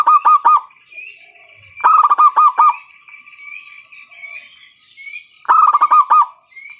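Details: Local zebra dove with a loud voice, used as a lure to stimulate other doves to sing: three bursts of rapid, stuttering, pulsed cooing notes, evenly spaced, with a faint thin whistle from another bird running between them.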